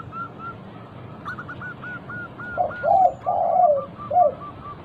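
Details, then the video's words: Active local zebra dove singing as a lure to make other doves sing: a few soft coos, then a run of hooked notes over lower drawn-out coos, trailing into fading hooked notes. "Pancingan burung perkutut lokal gacor - 100% bikin cepat bunyi langsung nyaut manggung"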